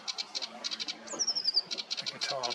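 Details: Sedge warbler at Ham Wall RSPB Reserve on 14 May 2023 singing a fast run of dry, high, repeated chattering notes, broken by one thin whistle sliding downward; a man's voice murmurs faintly underneath.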